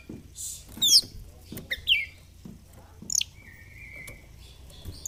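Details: Kacer (oriental magpie-robin) in fighter-style song during display (ngobra), a training track for reluctant singers: sharp downward sweeps and chips, then a sustained flat whistle, with faint background noise.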